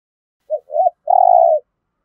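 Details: One clean spotted dove phrase in 'giọng thổ' style for stimulating captive birds to coo and fight: a short note, a doubled looping note, then a long, level, buzzy-edged coo.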